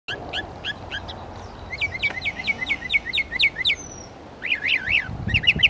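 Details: Northern mockingbird at Belle Isle Marsh Reservation, East Boston, Massachusetts, running through imitations of other birds' songs: a series of about ten quick, evenly repeated chip-like notes, then a rolling, warbled phrase repeated several times, over steady background hiss.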